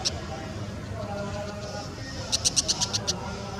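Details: Brown Shrike giving a short burst of about seven rapid, dry, harsh chak notes near the end, high-pitched and evenly spaced, after a stretch of quiet background hum.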